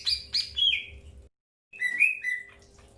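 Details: Greater green leafbird during early pairing, giving clear whistled notes that slide down, then after a brief gap a second burst of chirps and level whistles; faint low hum behind.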